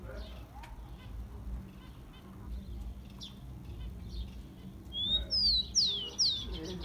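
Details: Song of the rufous-collared sparrow, played to warm up captive tico-ticos: faint background chirps, then near the end a clear whistle and three high notes dropping quickly in pitch.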